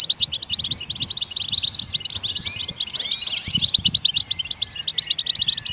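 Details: Goldfinch singing to stimulate other songbirds: a fast, rhythmic twitter of about three chirps a second blending into trills, with a sweeping slurred passage around the midpoint and a few soft knocks.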